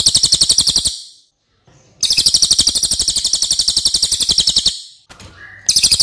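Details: Loud, long song of a Racket-tailed Treepie kept as a tutor recording for other songbirds. A fast stream of shrill, grating high notes is broken by a gap and a brief faint note, then resumes.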